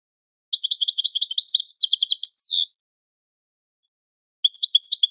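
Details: Goldfinch singing a training song, a bright, jingling series of quick high notes ending in a short buzzy slur, then a pause before the twittering starts again.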